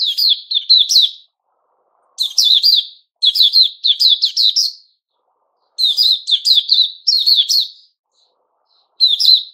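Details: Puteh Raja, or white-crowned shama, growing new feathers, 6 September 2021: quick runs of sharp, high chirping notes grouped into phrases about one second long, with gaps of roughly a second between them.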